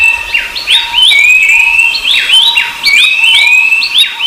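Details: Thin, level-to-rising whistles of the rufous-browed babbler recur about every second, overlapping bright hooked chirps from other birds and a steady background tone.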